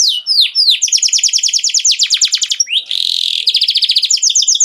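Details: Canary singing to stimulate mating: rapid rolling trills of repeated high chips, a brief harsh buzzy burst near the middle, then the quick trilled notes resume and run to the end.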